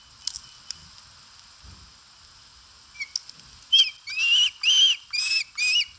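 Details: Osprey calling at its nest in Satakunta, Finland, on 4 August 2022 while eating: a quiet start, then a run of five clear high whistled notes, each rising then dropping, repeated roughly twice a second, with faint clicks beforehand.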